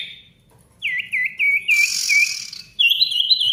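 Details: Ashy tailorbird song for prompting silent birds to sing again: a rhythmic series of clear looping whistled notes, about five, followed by a faster run of higher whistles.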